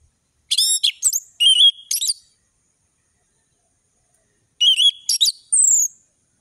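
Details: Loud, clean orange-headed thrush song with sharp whistles: clusters of chipping notes mixed with wavering whistled runs, a three-second silence, then another phrase ending in a high, thin downslurred whistle.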